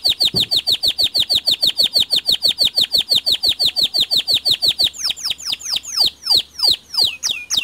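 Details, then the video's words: Local white canary singing a long, even trill of rapid descending notes, about three per second, which turns into looser, louder swooping whistles after five seconds. "Burung Kenari Putih Lokal Tunjukan Kicauanmu"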